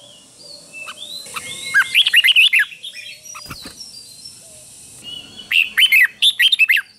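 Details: A red-whiskered bulbul gives two bursts of quick, bubbling whistled phrases, each under a second and a half, over a steady high hiss and a single click; the song is played so young bulbuls can copy it.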